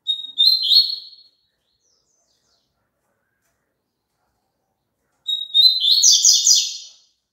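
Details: Two song phrases from a double-collared seedeater, used to prompt caged birds to sing, separated by four seconds of silence. Each starts with a thin whistle and runs into quick, rhythmic, buzzy trills.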